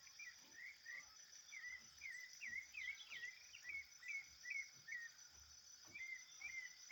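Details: Wild thrush singing hard in natural surroundings: a rapid run of clear whistled, slurred notes, some rising and some falling, over a constant shrill insect chorus.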